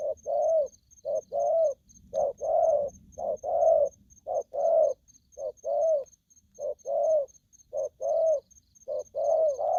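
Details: Spotted dove, described as aggressive, calls steadily. Each short clipped coo is followed by a longer throaty croo, and the pairs repeat about once a second for nearly ten seconds over a faint, steady high ticking.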